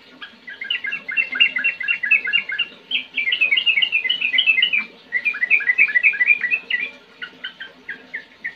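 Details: Sooty-headed bulbul delivering a chatty ngetir-ngerol song meant to draw replies from young or silent birds. Nearly continuous rolling chatter of rapid, bright, repeated chirps runs for about seven seconds, with brief gaps, then tails off into scattered notes.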